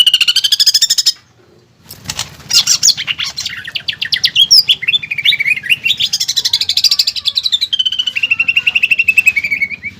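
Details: Greater green leafbird, an actively singing bird used to train caged birds with 'pelatuk bawang' filling; a fast rattling phrase, a short pause, then a long varied run of warbled, chattering and trilled notes.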